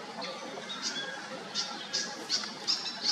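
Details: Pied fantail giving short, high squeaky notes, each a brief bright chip, repeated about every third to half second. The notes grow slightly louder toward the end over a soft, steady background hiss.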